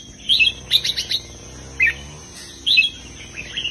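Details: Caged red-whiskered bulbul in southern master-song style with heavy phrasing: a few short, bright, bubbling chirp groups and a single clear whistle, spaced by pauses, against a continuous low hum.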